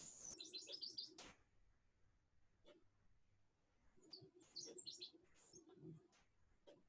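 A Nashville Warbler sings two high, quick bursts of bright chips running into a brief trill, played over a low room hum.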